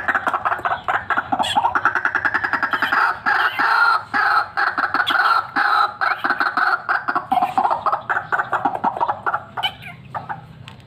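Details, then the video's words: Loud fighter white-breasted waterhen calling for luring: rapid harsh nasal notes repeated about twice a second in a dense, chattering chorus that continues throughout and fades slightly near the end. "RUAK RUAK FIGHTER GACOR SIAP BUAT PIKAT"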